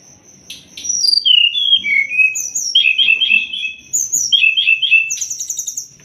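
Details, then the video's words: Sumatran leafbird master song to train songbirds: falling whistled slurs followed by repeated paired whistles and a rapid high trill, over a steady thin high tone. "Masteran burung SRDC biar cepat gacor"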